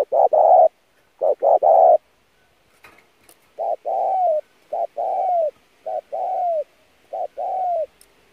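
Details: Spotted dove song played to train decoy birds: forceful low coo phrases, the first ones loud with short hoots and a long note, later ones softer with longer coos that droop at the end.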